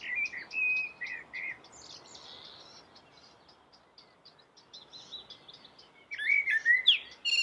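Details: Common blackbird singing melodiously: low fluted warbled phrases, each followed by thin high twittering, a pause of fainter chatter, then a loud rich warble returning near the end.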